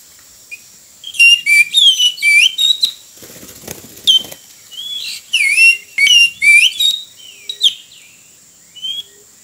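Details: Oriental magpie-robin singing near a road during wild-bird trapping: long, varied song of sweet whistles, trills and rapid slurred notes in clustered phrases with brief gaps, over a steady high electronic-like tone.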